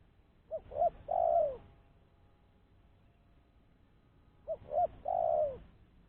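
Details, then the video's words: Spotted dove used to lure other doves, calling the same three-part phrase twice about four seconds apart: two short notes then a long coo sinking in pitch, with quiet background between. "Suara Burung Tekukur-Pancingan Suara Tekukur Bersih"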